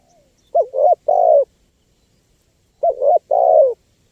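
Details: Spotted dove calling, used for luring wild birds: two phrases, each a double short coo followed by a longer downward-sliding coo, separated by about two seconds of silence.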